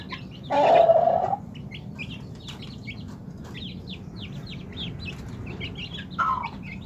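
A young Pelung chicken gives one short, rough crow, then a briefer call, over faint high chirping.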